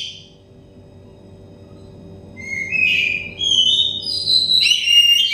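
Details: Oriental magpie-robin, a stressed, untrained bird, in song meant as therapy for quick, loud singing: after a near-silent start come rising whistled notes, then bright, overlapping phrases, over a steady background hum.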